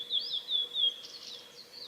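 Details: Male blue-and-white flycatcher singing on 6 May 2015 along the Hayato River forest road at Lake Miyagase, Japan: a short phrase of clear, high, slightly descending whistles repeated in quick succession, followed by softer warbled notes, over a steady low background hum.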